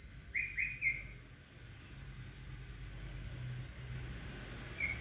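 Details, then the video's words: White-rumped shama during a first meeting of male and female, where the male does not accept the female: a few short whistled notes near the start, then a quieter stretch and one more faint note at the end. "Chòe lửa mái tới nái (shama bird)"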